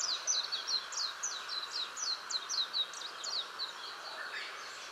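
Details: At dusk a Japanese white-eye sings in a tree beside a house: a rapid, high-pitched warbling chatter of slurred chirps, bursting in quick pulses, then fading softer toward the end over faint steady background hiss.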